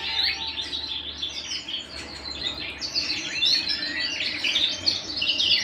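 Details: Canary singing at home: a dense, continuous warble of high chirps and buzzy trills, with several overlapping phrases and a faint low hum underneath.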